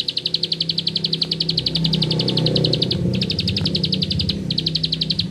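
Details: Bar-winged prinia (ciblek sawah) singing in the rapid 'ngebren' style: fast, even buzzy trills of sharp high notes, about four per second, broken by a short pause, over a steady low hum.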